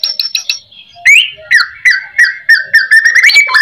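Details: Lure song of a white-rumped shama, full of fill phrases, to coax replies from other shamas. A few high chips give way to a string of loud, clear, whistled notes, each slightly slurred.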